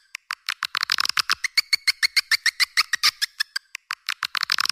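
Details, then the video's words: Calling sound of swiftlets, meant to draw other swiftlets in: a fast series of crisp, metallic chirps repeated about three times a second, some doubled or clustered into short chattering bursts, high and dry with a thin ringing overtone. "Suara Burung Walet Panggil"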